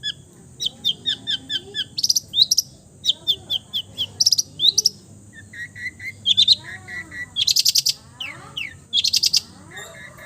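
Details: Long-tailed shrike in mimicry song: runs of rapid ticking notes broken by loud harsh rasping bursts, plus lower whistled slurs, all delivered in quick varied phrases over a faint hiss.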